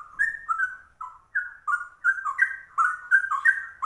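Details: Rare yellow-vented bulbul (trucuk) with ropel song like a cucak rowo: short, clear whistled phrases, some level and some sliding down, coming in quick bursts with brief gaps, the pace picking up toward the end.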